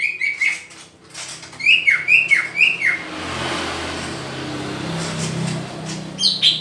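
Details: Green leafbird singing while being paired. Clear whistled notes repeat in a quick series, each with a fast down-slurred tail, then pause. A low engine-like hum runs underneath before a final pair of notes.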